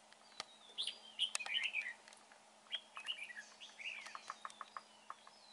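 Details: Trapped-area red-whiskered bulbul, called fine-looking with a good voice, delivers lively warbled phrases of slurred whistles, then a run of short chirps and clicks toward the end.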